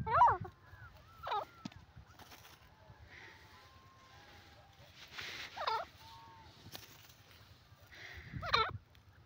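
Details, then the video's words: Francolin (desi teetar) gives loud, harsh, rhythmic ringing calls in four bursts a few seconds apart, with faint chirps from other birds between them. "desi teetar sweet awaz teeter bird lovely sounds"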